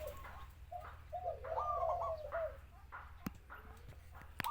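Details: Spotted dove (Spilopelia chinensis), coo call.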